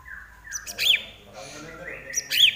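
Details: Common iora singing two short phrases, each a flat whistled note followed by a bright upswept-and-falling whistle, separated by a quieter gap.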